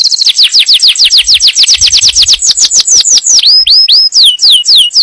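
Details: ['Canary song meant to prepare a female for breeding and to teach young birds: fast train of bright descending high-pitched notes repeated several times a second, shifting into slower looping whistled phrases near the end.']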